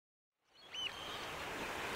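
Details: At Port Hacking (Djeebahn), where an endangered pair raised two six-week-old chicks among mangroves as the tide rose, a pied oystercatcher gives a single short, high piping note, slightly arched in pitch, over a steady rush of wind or surf.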